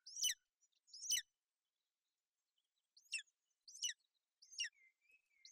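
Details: Golden eagle nest in Bucovina on 28 May 2021, a female sheltering her chick from inclement weather. Five sharp, high, descending chirped notes arrive in pairs and triplets, and faint thin whistles sit behind them.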